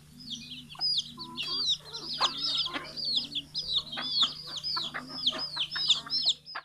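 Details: Numerous small and large chickens calling at morning feeding after release from the coop, Betbari, Mymensingh, 6 October 2018; rapid overlapping high-pitched chirping peeps with scattered low clucks and a persistent background hum.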